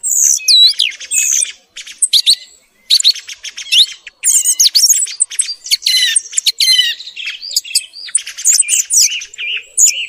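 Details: Morning thrush song used as a hunting lure: dense bursts of high, sharp whistles, rapid chirps and looping swept notes, delivered in quick phrases with brief pauses, no other sounds.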